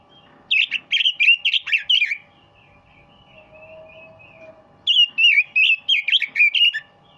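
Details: A two-year-old red-billed leiothrix (Japanese nightingale) kept outside Muscat sings two rapid, rich warbled phrases of bright, bouncing whistles, each under two seconds, with a quiet pause of faint soft notes and a low background hum.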